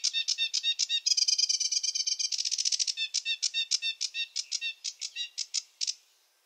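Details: Varied sedge warbler song, a rapid chattering sequence with a tight rattling trill in the middle, followed by separate scratchy notes that slow and fade.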